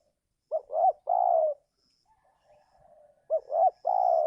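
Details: Close, loud spotted dove used to lure wild birds in the giring season; two phrases, each a pair of quick rising notes and then a long, level-to-falling coo, with a soft low murmur between them.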